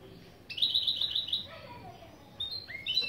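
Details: Goldfinch-canary hybrid mule singing a fast high trill, then softer descending whistled notes and rising upslurred calls, part of a set of opening song phrases for teaching.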